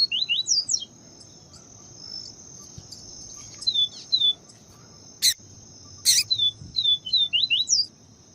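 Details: Papa-capim viviti, the yellow-bellied seedeater, singing clean song while a female calls to stir up the male: bursts of sharp, descending slurred chirps, a few loud clicks, and a continuous shrill insect hum behind.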